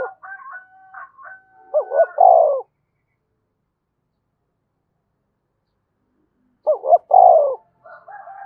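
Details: Spotted dove giving urging and summoning coos meant to provoke other doves: two low, mellow cooing phrases, each a couple of quick notes then a longer fading coo, separated by about four seconds of silence, with softer cooing at the start and end.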